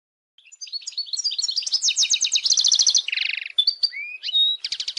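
A European goldfinch sings a fast, tinkling twitter of varied high notes with buzzy trills and rattles, lasting several seconds without pause.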